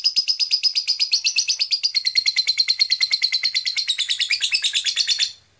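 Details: Blue black-masked lovebird chirping steadily in a fast, even series of sharp high notes, becoming a dense trilling chatter before stopping abruptly near the end.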